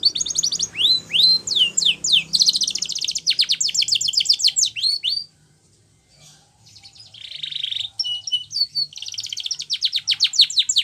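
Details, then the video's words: Spanish Timbrado canary song used for training: fast trills of sweeping notes, a short silent pause midway, then a buzzy roll, clipped metallic notes and another rapid rattling trill. "Canary's Most Powerful Song For Training"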